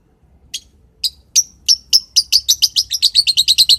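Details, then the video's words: Morning chirping from a lovebird: widely spaced shrill notes that speed up into a rapid, even stream of high tweets, with roughly twenty chirps in under four seconds. "Burung lovebird di pagi hari"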